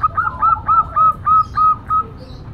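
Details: Female zebra dove of local stock, cooing noisily: a brisk series of about eight short, even, hooked notes in two seconds, clear and loud against faint low background rumble.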